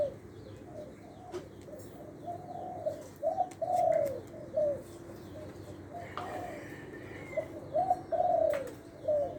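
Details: Spotted dove decoy bird from Lopburi, Thailand, described as medium-voiced with a one-kuk song, cooing in soft mellow phrases of several notes, louder bursts around the middle and end, with low background hum and occasional clicks.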